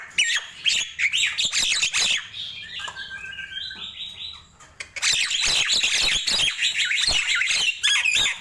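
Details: Busy morning song of a Nias hill myna: chattering whistles and squawks, a short stretch of softer, evenly stepped tonal notes in the middle, then a renewed, dense outpouring of bright, scratchy phrases.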